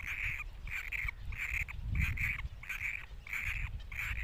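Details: Great cormorant chicks keep up rapid, harsh nasal squeals, some doubled, about two per second in a regular rhythm, against soft low background noise.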